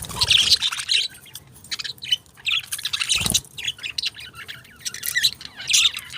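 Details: Pet budgies chirping; continuous high twittering chatter in rising bursts, one dull thud midway.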